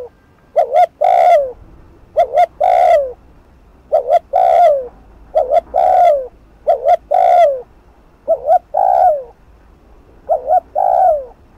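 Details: Spotted dove giving fast cooing used as a lure to rouse other doves: two short, low notes then a longer, hoarse drawn-out coo, repeated about every two seconds over a faint low hum.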